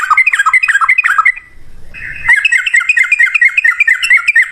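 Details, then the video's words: Sooty-headed bulbul song in the 'ropel ngalas' style, played as a lure to make other birds answer: dense, rapid chattering warbles, a brief lull with a low hum, then another fast run of repeated bright notes. "suara trucukan gacor ROPEL NGALAS, pancingan trucukan agar bunyi jadikan burung trucuk nyaut gacor"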